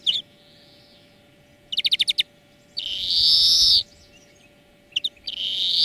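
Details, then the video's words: Greenfinch song recorded to teach birds: a faint rising whine, a crisp trill of six notes, a second-long harsh wheeze, then a few chirps and a swelling buzzy note. "Florya Ötüm Dersi"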